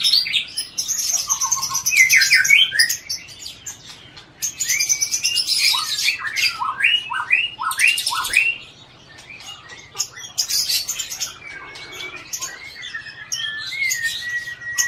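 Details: White-rumped shama of Aceh stock, a captive bird whose song borrows from cici merah, ciblek, tengkek and other species. Fast upward whistled sweeps and chatter come in bursts, fading to sparse drawn-out whistles against a background hiss.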